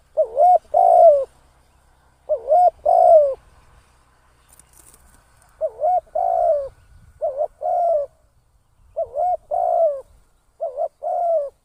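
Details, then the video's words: Decoy spotted dove kept for trapping, calling repeatedly: phrases of a short coo followed by a longer, gently falling coo, given about every two seconds in a quiet setting. "เสียง นกต่อ นกเขาใหญ่"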